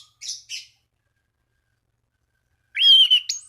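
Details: Orange-banded thrush song aimed at rival thrushes to make them sing: two soft scratchy notes, a long silence, then a loud sustained whistle ending in a sharp rising flick.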